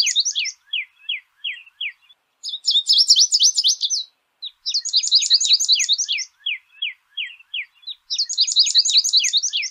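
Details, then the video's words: Wild American goldfinch in full song: slower downslurred chips alternate with dense bursts of rapid, high, sparkling twitters, each phrase separated by brief pauses, over a clean, quiet background. "PITASSILGO AMERICANO CANTANDO MUITO NA NATUREZA - CANTO DO PINTASSILGO AMERICANO"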